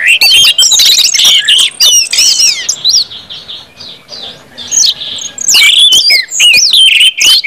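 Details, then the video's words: Orange-headed thrush singing in the loud open ngeplong style, used as a lure to get other birds singing quickly: rich, fast whistled phrases with rising and falling slurs and sharp chips, broken by short pauses mid-clip. "KUMPULAN ANIS MERAH NGEPLONG BIKIN CEPAT BUNYI DAN GACOR ANIS MERAH"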